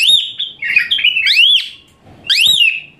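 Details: Asian pied starling giving shrill 'tembakan kasar' song meant for tutoring other birds: a piercing arched whistle, a jumble of harsher chattering notes, another strong rising-falling whistle, silence, then one more loud upward sweep.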